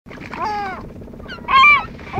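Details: Hungry seagulls being fed after fishing: two harsh, ringing squawks, the second louder and more drawn out, over a low rumbling background.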